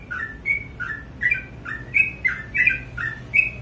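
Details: Morning song of a sooty-headed bulbul: quick paired whistled notes, one high and clipped, one lower and slurred, delivered in a lively, slightly uneven run over quiet background hum.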